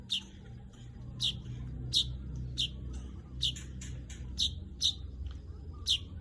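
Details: Crisp high chirps from a weaver, about ten in six seconds, irregularly spaced, some in quick pairs, over a faint low rumble.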